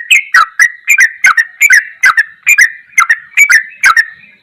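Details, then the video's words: Ropelan goklikan song of a sooty-headed bulbul, a masteran recording: a dense run of clipped, bubbly notes, each with a crisp tick and a quick fall in pitch, almost three a second. No other sounds. "MASTERAN TRUCUKAN TERBAIK || ROPELAN GOKLIKAN TOP"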